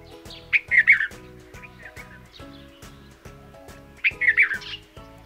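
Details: A Red-vented Bulbul gives two short bursts of bubbly, chirpy calls about three seconds apart, over soft background music with a steady beat.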